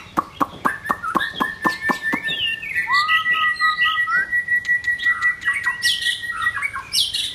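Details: White-rumped shama during form building: about ten sharp clicks, then a long, steady, thin whistle with short rising notes over it, ending in high bursts of chatter.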